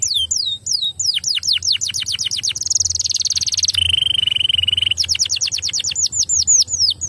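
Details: Canary singing to spur other canaries into song, mixing series of steep downward-sweeping notes with a high buzzy roll and a lower sustained trill, before the descending notes resume.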